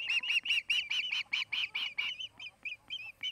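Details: Osprey at a Charlo, Montana nest, filmed by a nest camera on 8 August 2018 during the afternoon. A pair nests there. About ten loud, whistled chirps come in quick succession, then softer, thinner notes trail off.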